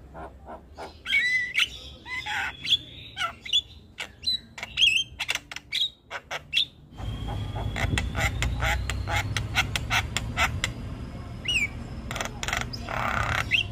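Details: Black-winged myna singing its continuous chattering song: rapid sharp clicks and buzzy whistles in the first half, then a long thin rising whistle over loud rumbling background noise.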